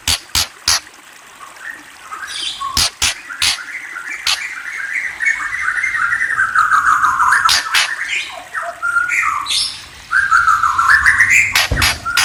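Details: White-rumped shama, called murai, singing a continuous run of warbled, wavering notes that slide gradually downward then rise again, with sharp loud clicks and snaps scattered through the phrase.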